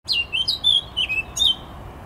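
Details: Eurasian blackcap singing on 14 July 2021: about five short, clear fluty whistled notes, each sliding downward, given in quick succession over two seconds, with faint low background rumble.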